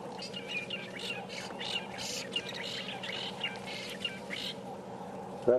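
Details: Fork-tailed drongos give a robotic-sounding call just before flying off, during a morning safari drive on 10 November 2015. Short metallic chirps repeat irregularly over a steady low hum and soft murmuring.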